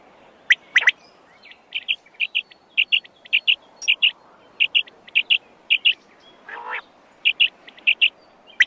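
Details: Wild quail (pugo) giving short, high, bright chirps, often doubled, repeated about twice a second, with one lower, harsher note partway through.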